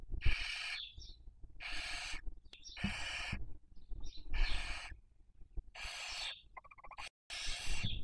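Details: Barn owl webcam nest in Cabañeros National Park, Spain, during the 2023 breeding season: a rapid series of six loud rasping hissed screeches, each about half a second long, with faint chirps between.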